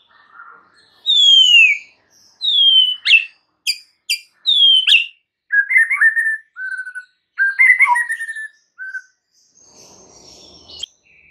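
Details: Clear white-rumped shama song used as a lure to make other shamas sing: loud falling whistles, crisp high snapped notes, then short gurgling phrases and single whistles separated by pauses, fading to a faint twitter.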